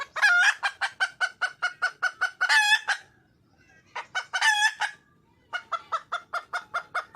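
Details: Female wild junglefowl calling for a male: steady rapid clucking punctuated by harsh, nasal squawks, a brief silence, then more squawks and a renewed string of quick clucks.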